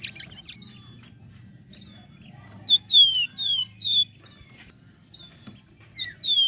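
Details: Flame-breasted flowerpecker singing vigorously, used as a lure to train contest songbirds: thin, high, down-slurred whistled notes in quick bursts of three or four, with pauses between, over a low steady hum.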